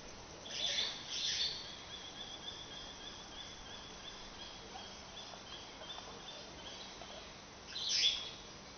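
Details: A long-tailed glossy starling (Lamprotornis caudatus) in the Senegambia Beach Hotel grounds gives harsh, scratchy bursts, one near the start and another near the end, with a thin steady high whine between them.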